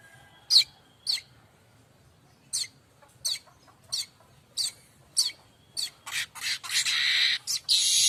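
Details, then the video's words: Streaked weaver, named locally as manyar kembang, in full song used as a tutor recording for training magpie-robins and other songbirds; sharp dry chattering notes repeated about every half second, building into a dense buzzy rattle at the end. "Kicau manyar variasi mantab"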